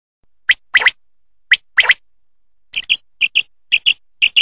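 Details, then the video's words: Quail song: sharp, high paired notes, each pair about a second apart, clipped and slightly buzzy, over a quiet background. "Quail song"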